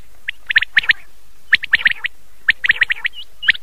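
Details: Common quail calling at night, from an old cassette recording; sharp high clipped notes delivered in quick clusters of two to four, repeating about every second over a low steady hiss.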